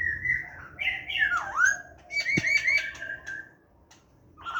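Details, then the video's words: Wild-style laughingthrush song, 29 September 2023: loud whistled notes with a deep downward-swooping slur, then bright rising phrases and a single sharp click, fading to near quiet before a final whistle. "khướu hàm rồng hót giọng rừng"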